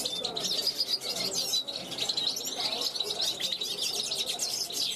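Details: European goldfinch, a young bird from 2021, on a balcony, calling to wild goldfinches passing by: a dense, fast, continuous twittering of high tinkling notes and buzzy trills without pause.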